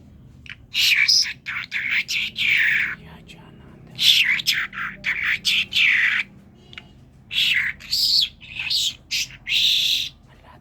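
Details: Common myna from Kerman, a talking bird, chatters in a dense series of gurgling, scratchy syllables, repeated in bursts of about half a second.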